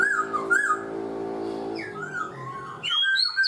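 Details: Captive black-throated laughingthrush, four months in a cage, gives wavering whistled notes and later bright high slurs over a steady droning hum.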